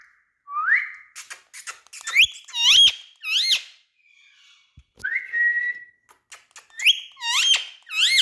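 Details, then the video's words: Indian ringneck parrot kept as a talking bird; sharp upswept whistles and looping squeaky notes come in bursts, with short clicks between phrases and a quiet pause midway. "Different Indian Parrots🎉Top Videos Talking Bird"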